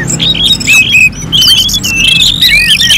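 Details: Orange-headed thrush in a contest-simulation recording, delivering loud, varied whistled phrases with long sliding notes and quick warbles. A persistent low droning hum plays in the background.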